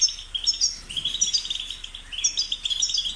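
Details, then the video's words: Short burst of goldfinch song: rapid, tinkling twitters and buzzy chirps running almost without pause. "The sound of the goldfinch's chirping drives the goldfinch crazy"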